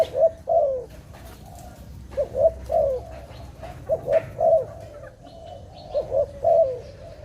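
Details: Dove calling in a trapping setting, low coos in bursts of two quick notes and a longer slurred note, spaced irregularly, against low hum and faint high bird sounds.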